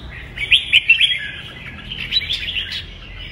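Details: Bulbul with red whiskers delivering a heated 'kích bổi' song for fighting-song training; busy jumbled warbling with a few sharp, louder chirps near the start and more bright notes toward the end.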